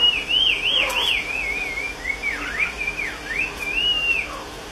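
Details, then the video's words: Chinese hwamei delivering rich whistled phrases that rise and fall in smooth waves, with short gaps between the phrases, over a faint steady hiss. "Hoa mi bông hót hay"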